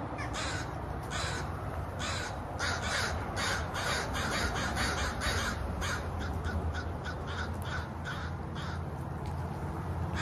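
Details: Crows cawing in a rapid, irregular series of harsh, buzzy notes, often overlapping, about two a second, over a steady low rumble of wind or background noise.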